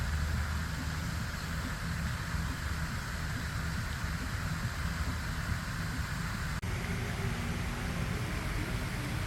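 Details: Steady hiss like rain or passing traffic fills the recording, broken by one brief click.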